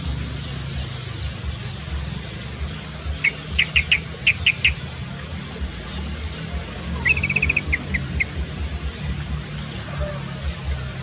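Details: Yellow-vented bulbul singing actively while bathing, recorded as training and lure material for songbirds: two bursts of quick, bright chattering notes, the first a loose series, the second a tighter run, over steady low rumbling background noise.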